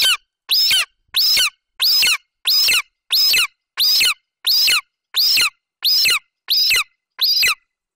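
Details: Young golden eagle in a nest in Bucovina, 27 July 2021, standing over a partial Eurasian hare its mother just brought in, vocalizing until she leaves: loud, high squealing calls in a steady series, about twelve in eight seconds, evenly spaced.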